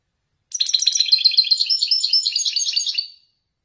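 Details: European goldfinch, a male of the Ouedani style, singing one unbroken Marrakchi-type descending phrase lasting about two and a half seconds, a dense stream of high, jingling twitters and trills against a silent background.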